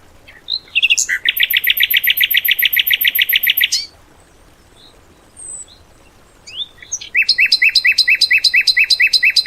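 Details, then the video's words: Tembakan bird song for training cage birds: a few sliding notes leading into a long harsh, evenly pulsed trill, a quiet gap with faint whistles, then another rapid series of layered, metallic notes. "MATERI ISIAN BURUNG TEMBAKAN"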